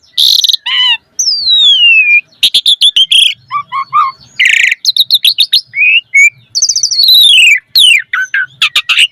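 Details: Lively Asian pied starling song with full varied content, played to prompt captive starlings to sing: a long descending whistle, then clusters of short chattering notes, rising slurs and harsh rasping bursts, closely packed.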